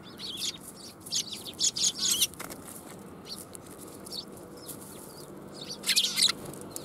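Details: Flock of sparrows arriving for food at a Tenmangu shrine on 1 January 2021; clustered bright chirps and chatter in two busy bursts, with soft flutter and a quiet hum underneath.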